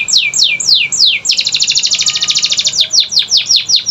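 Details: Canary song to trigger silent canaries into singing: slow falling sweeps, a fast dense trill, then falling sweeps again at a slower pace.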